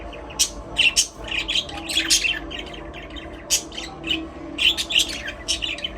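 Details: Budgerigars, Australian parrots, singing and playing together in an aviary: a busy stream of short, bright, scratchy chirps and squawks, overlapping bursts every fraction of a second, with a steady low hum underneath.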